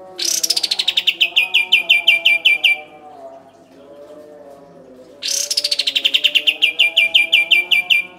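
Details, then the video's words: Kapas tembak in two bursts of song, training material for songbirds: each opens with a high upward sweep, then a rapid string of clipped, evenly spaced notes sliding slightly lower. A quiet gap with soft low tones separates them. "Kapas Tembak Gacor Full Ngeroll Panjang"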